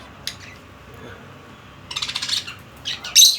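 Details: Budgerigar kept as a pet, giving a few scattered sharp high chirps, then a quick burst of buzzy chatter and a final bright squeak over a quiet room background.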